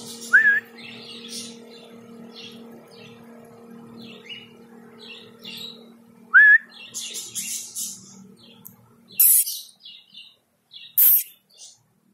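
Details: Rainbow lorikeet, raising its foot, giving scratchy high chattering bursts through the first half, two short rising whistled notes near the start and middle, then two loud harsh screeches close together toward the end over a faint steady hum.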